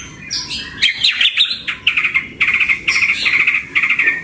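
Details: Pet-bird training recording of a white-rumped shama: a jumble of sharp chirps, then a steady series of repeated, rattling mid-pitched notes delivered in quick bursts.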